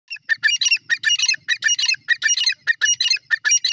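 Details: Female grey francolin, locally called teetar, giving a harsh, squawky call: bright rasping notes bunched in quick clusters, repeated steadily at about a hundred notes a minute with short gaps, no other sounds clear.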